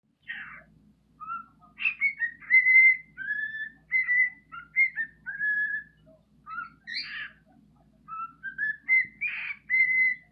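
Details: A male bird sings to attract females, giving a varied run of clear whistled phrases, some steady and some rising or falling, with short buzzy notes between them. The phrases come in quick succession over a faint low hum.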